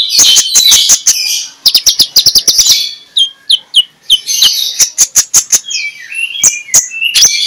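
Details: Magpie-robin singing loudly in the morning, 'ngeplong' style, as a lure for reluctant birds: rapid bursts of sharp chattering clicks alternating with high sweet whistles and falling slurs over seven seconds.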